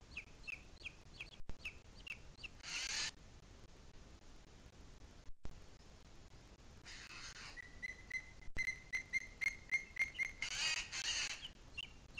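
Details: Booted eagle in the Sierra de Guadarrama on 2 July 2021: scattered faint whistles, a quiet pause, then a brisk run of bright piping notes amid rushing gusts, ending in a few spaced calls.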